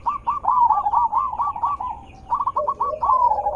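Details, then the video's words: Zebra dove calling as a decoy to draw answering birds: quick strings of short bouncy cooing notes, a pause, then another run with a lower rolling coo beneath. "Suara Besar Merdu ampuh untuk pancingan burung perkutut"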